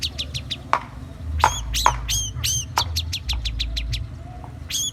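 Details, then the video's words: Indonesian long-tailed shrike in full song with goat material: quick series of high, downward-slurred harmonic notes and sharp strokes, several rapid phrases within five seconds over a low constant hum. "Cendet gacor materi kambing"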